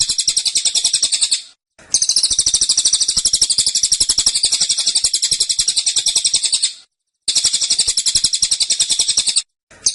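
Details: Caged cililin (Black-winged Flycatcher-shrike) singing persistent, tightly packed 'tembakan' phrases: long runs of high, buzzy rapid trilling separated by short silences, repeated several times.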